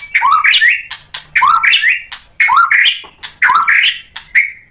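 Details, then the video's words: White-rumped shama song meant to provoke other shamas: a rising whistled phrase repeated about once a second, each opened by clicks. "MURAI BATU GACOR memancing EMOSI jadi BUNYI NYAUT BONGKAR MATERI ISIAN | PANCINGAN MURAI batu"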